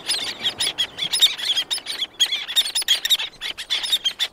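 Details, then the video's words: Close-up calls of several black-naped terns, with others distant: quick, piercing, high-pitched notes tumble over each other almost without pause. "Black Naped Tern / Black-Naped Tern. CU Calls From Several, Others In Distance."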